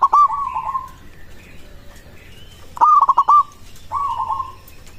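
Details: Zebra dove of local stock, its song meant to draw a quick reply from other doves; three purring cooed phrases, a loud stuttered one between two softer, smoother ones.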